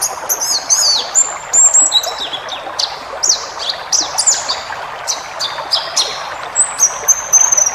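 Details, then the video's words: White-eye 'ngalas' training recording with full fill-ins: high twittering chatter of chips, sweeping slurs and a few held thin whistles, continuous over light hiss. "masteran burung pleci ngalas full isian"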